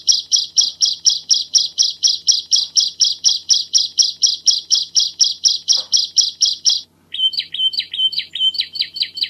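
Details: Bar-winged prinia in lively master-track song, dense and clear: a long even string of high metallic chirps at about two per second. After a short pause it switches to wavering, warbled notes.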